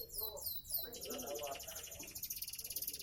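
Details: Seven-month-old canary of the Sonji SF line sings a quick series of descending swept notes that turns into a fast, even rattling trill, with lower chattering underneath.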